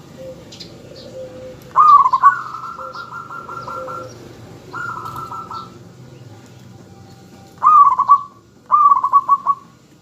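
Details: Local zebra dove in full song, used to lure other doves into singing and answering. Several pulsed, bubbling coo phrases, some long and steady, some short and stuttering. Softer, lower hums can be heard between phrases.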